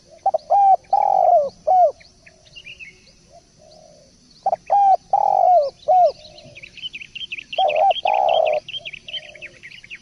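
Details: Spotted dove cooing repeatedly in three phrases, each of quick clipped notes around one long coo, while a small bird sings a rapid high twittering series in the background.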